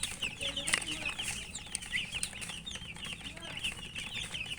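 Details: Young chickens eating, crowded high-pitched peeping from several chicks at once, short upward-flicking notes packed closely, faint tapping underneath.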